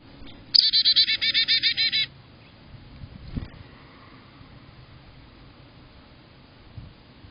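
A Black-capped Chickadee gives a quick run of about ten harsh, buzzy dee notes in under two seconds, followed by near silence and one soft thump.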